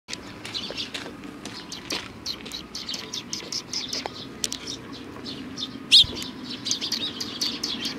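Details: Eurasian tree sparrows coming to a bench to be fed, 3 June 2020: a steady scatter of short high chirps from several birds, one louder sharp chirp standing out, over a background murmur.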